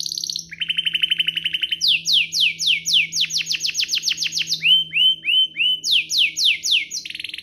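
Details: Domestic canary song used to provoke other canaries into singing: a dry buzzy rattle opens into long runs of fast, loud descending whistled sweeps, about four a second, broken by a few short upslurred notes.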